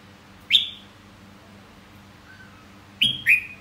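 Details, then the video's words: Red-whiskered bulbul giving short whistled phrases, a bright rising-falling note near the start and a two-part slurred whistle after a pause of about two and a half seconds, quiet background. "Giọng hót chào mào"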